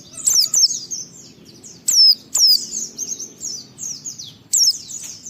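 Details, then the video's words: White-eye performing a 'ngalas' song to make other white-eyes sing: continuous high, thin twittering broken by loud piercing downward whistles at irregular intervals, some phrases in quick pairs. "Suara Burung Pleci ini Raja Menggoda Semua Pleci cepat Ngalas Ngeplong Gacor"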